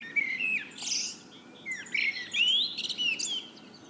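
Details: Eurasian blackbird singing in the evening: mellow fluted phrases that rise and fall, each ending in a high squeaky twitter. Two bursts of song are separated by a short pause.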